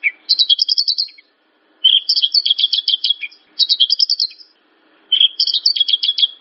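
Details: Javan bush lark song meant to draw a response from other birds: four rapid trilled bursts of high stuttering notes, each about a second long, separated by short silences.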